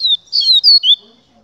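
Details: Papa-capim 'Gladiador' (double-collared seedeater) delivering high, sweet whistled notes: a falling slur, then a pair of sliding notes and a final upward-curving whistle, all loud and close.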